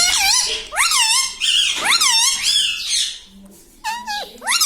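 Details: Parrot that talks, said to say papa and mummy: rapid run of shrill, bending squeaks and arched vocal notes, closely spaced over the first three seconds, then a quieter pause before two more sharp rising cries.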